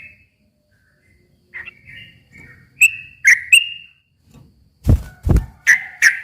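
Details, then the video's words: Sooty-headed bulbul song for luring a silent bird into replying. Sparse, clear whistled notes build up, broken near the end by two loud low thuds, and then more bright whistles follow. "kicau suara trucukan gacor ropel panjang ini ampuh buat pancingan trucuk macet agar nyaut bunyi lagi"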